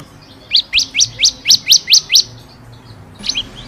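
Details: Bar-winged prinia song for training caged birds: a series of eight sharp, upward-sweeping high notes about a quarter-second apart, then a pause and a softer fragment.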